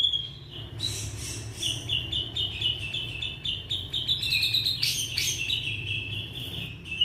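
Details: Young Indonesian white-rumped shama singing as a lure for shamas that will not sing: a long, rapid series of short, bright notes at one pitch, with louder mixed bursts near the end over a low background hum.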